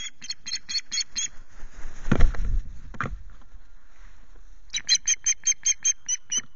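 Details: Nest-camera recording of an Osprey at Loch Garten on a 19 April morning, reacting to intruders at the nest. Two bursts of fast, repeated shrill piping notes are separated by a loud gust of wind or buffeting noise.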